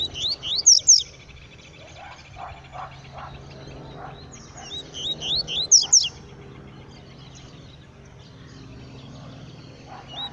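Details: Yellow-bellied seedeater, a black male singing in the bush, gives two loud bursts of rapid upswept whistles about five seconds apart, with softer chirps and faint background noise between.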